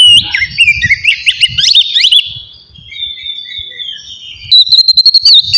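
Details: Oriental magpie-robin ngeplong singing for stirring emotion and breeding drive: quick zigzag whistled slurs at first, then long, flat, drawn-out whistles, closing with a bright trilled phrase.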